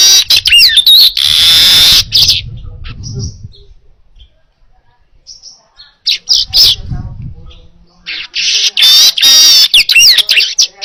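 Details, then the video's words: Baya weaver singing for use as a training recording: loud rasping buzzes with whistled slides, a quieter pause with faint chirps and low rumbling noise, then another long harsh buzzy outburst. "Masteran Suara Burung Manyar Gacor Jernih Cocok Untuk Masteran"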